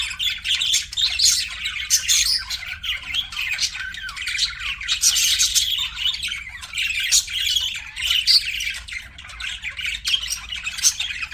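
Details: Pet budgies in constant chatter, a scratchy stream of chirps, trills and brief squawks, with louder sharp bursts every second or so.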